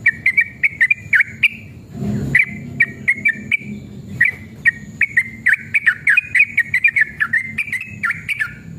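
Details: Yellow-vented bulbul in a lively, long-running song used as a lure to make other bulbuls sing: short, bright whistled notes repeated quickly in a steady run, broken briefly by a burst of rustling noise.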